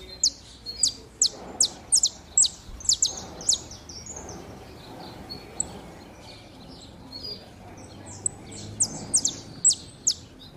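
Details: Saffron finch pair warming up: rapid series of bright, high chirps in clustered bursts at the start and end, quieter scattered notes between, over soft background hiss.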